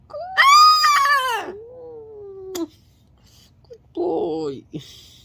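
A cockatoo gives a loud, wailing, speech-like cry that slides down into a long falling tone, then a shorter rough squawk after a pause.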